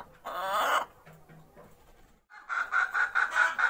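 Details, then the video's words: Hen singing before laying eggs: one long raspy drawn-out note, a quiet gap, then a quick series of short, bright clucks. "Hen Egg Laying Song"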